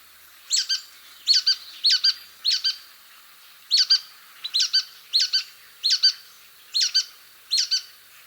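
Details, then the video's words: Brown-headed Nuthatch, a small bird that feeds high in the pine canopy and is hard to see, gives its unmistakable rubber-ducky squeak call: squeaky notes, mostly in quick doubled pairs, repeated roughly every three-quarters of a second. "however they're unmistakable when you hear that rubber ducky squeak call"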